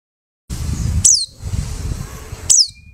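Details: A white-eye picked from a bulk dealer's cage, singing within two weeks, gives two high, thin, downslurred chirps about one and a half seconds apart, over a low rumbling background.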